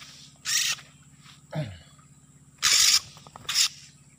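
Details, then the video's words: Harsh, hissing rasps of an Oriental magpie-robin played as a trapping lure in an oil palm plantation, three loud bursts with a short lower, falling sound between them and a low hum beneath. "Pikat burung Kacer di kebun sawit"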